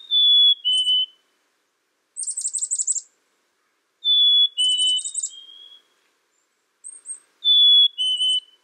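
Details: Black-capped chickadee: sweet falling two-note whistles mixed with rasping series of quick buzzy dee notes, several rounds in a quiet setting.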